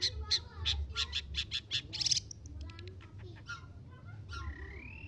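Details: Long-tailed shrike (cendet), a young untrained bird from Lampung, giving a rapid burst of sharp, squeaky chirps several times a second, then softer scattered notes and a rising whistle, with low rumbling background noise.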